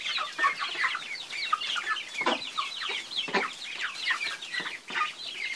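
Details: A group of chickens gives a constant chatter of short high peeps and chirps. Occasional deeper clucks punctuate the stream about once a second.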